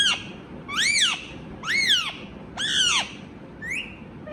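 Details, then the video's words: Indian ringneck parrot, described as a talking parrot, repeating loud arched harmonic calls about once every second, each rising then dropping, ending with a softer short upturned note. "Talking Parrot | Indian Ringneck Parrot"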